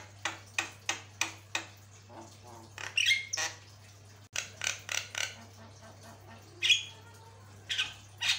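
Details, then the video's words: Javan myna, a very vocal bird used as a tutor recording for training other birds: a run of harsh, broadband clicking notes at a steady pace, then squawky chattering bursts with a few brief whistled overtones, over a low steady hum. "Paling gacor, jalak kebo master"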